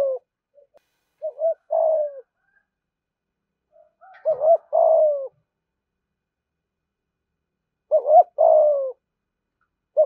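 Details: Spotted dove cooing in the 'thúc gù' style, a fast call said to attract wild doves to a fighting perch. Three somewhat quieter phrases, each a short double note and then a longer falling coo, are separated by long silent gaps.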